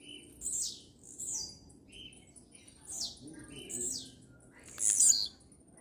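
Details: Blue-black grassquit (tiziu) singing: a series of thin, very high descending slurred notes, ending with a louder buzzy burst.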